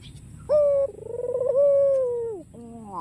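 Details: White ringneck dove with a black collar cooing to invite rivals to call: a clipped, even hoot, then a long rolling coo that swells and slowly falls away, with another rising note beginning at the end.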